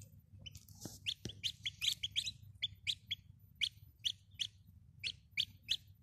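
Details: Domestic chicken chicks peeping: short, high, downward-slurred peeps repeated irregularly, about two or three each second, over a low steady hum.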